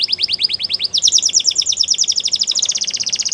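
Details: Training song from a canary: bright repeated notes about eight per second, shifting upward into a long sustained rapid trill.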